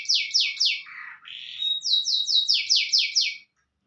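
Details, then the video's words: Panda canary singing a song filled in with white-rumped shama phrases: bright, high, rapidly repeated descending sweeps, a brief lower buzzy glide, then a long steady tone leading into another fast series of sweeps, with no other sounds. "kenari panda isian murai batu gacor durasi panjang"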